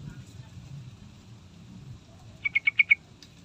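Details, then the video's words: Sooty-headed bulbul used as a lure to make other birds sing. After a stretch of low rumbling background noise, five clear, evenly spaced chirps ring out in under half a second. "Pasti Nyaut III Dengar Trucukan Gacor Full Isian"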